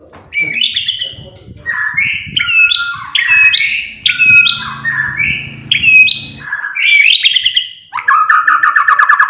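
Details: White-rumped shama song meant to trigger other birds to sing: a quick string of varied whistled and buzzy phrases with sharp pitch jumps, ending in a harsh rattling trill.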